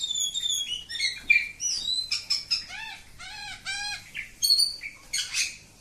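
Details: Village oriental magpie-robin in long song: clear pure whistles, then a run of arched, rhythmically repeated notes stacked in harmonics, followed by sharp chirps and a buzzy burst.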